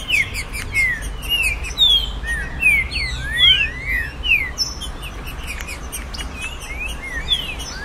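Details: Green-winged saltator, trinca-ferro, song played to stimulate a captive bird: clear whistled notes sliding down and up, in short irregular phrases, among overlapping chirps and a faint rural background hum.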